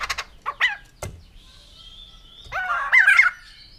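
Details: White-crested laughingthrush giving scattered sharp notes, a faint level whistle, then a harsh, rising-and-falling cackling burst near the end.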